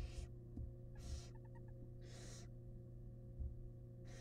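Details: Barn owls, wild, inside a research nest box as the male arrives with a big rat. Repeated breathy screeching hisses, with a short series of faint ticking notes between them, over a low mains-like hum.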